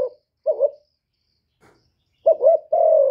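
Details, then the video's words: Decoy spotted dove in a cooing contest with a wild bird, giving a few short wavering coos, then a quick double note and a long steady coo near the end. "Tiếng cu mồi lỡ gù đấu bổi"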